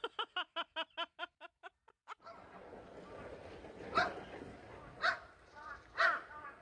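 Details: One of many crows, apparently upset at being filmed, gives a quick run of about ten short, clipped nasal notes that sound like calling "hey, hey", then three harsh, hoarse caws about a second apart over a steady background hiss.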